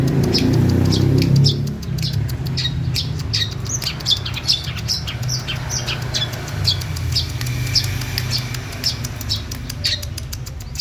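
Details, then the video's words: A female long-tailed shrike sings an uneven stream of short, harsh, high chips and ticks, some in fast clusters, above a steady low hum and rumble. "pentet betina gacor"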